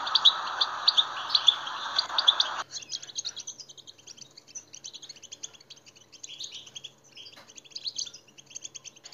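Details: European goldfinch song meant to stir other goldfinches into singing: a short burst of bright twitters over a hissing band, then a steady run of quick, high, tinkling chirps and trills.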